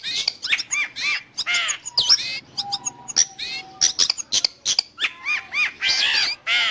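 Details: Long-tailed shrike song offered for training pet birds or luring wild ones: a varied jumble of harsh squawks, whistled upslurred notes and scratchy phrases, with steady rapid phrasing throughout.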